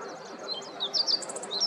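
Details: Meadow bunting at Yanagishima coast, Chigasaki, Kanagawa, Japan, recorded on a morning in late October 2023; a quick run of thin, high chirps and short downslurred notes, growing louder toward the middle, over a soft steady background hum.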